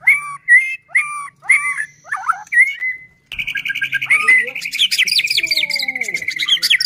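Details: White-rumped shama song used as a lure for other shamas; several separate, clear whistled phrases spaced about half a second apart, then a sudden dense stream of rapid, high, chattering notes.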